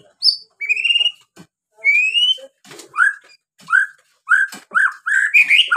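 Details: White-rumped shama song used to trigger singing in other birds: long rising whistled notes with a buzzy edge, followed by a series of short, repeated, downslurred whistles and clicks.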